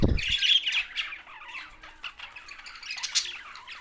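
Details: Budgerigars, Australian parrots, Larkana, Sindh: a loud low bump opens, then high chirruping and squeaky twitters from several birds that soften, with a sharp squawk near the end.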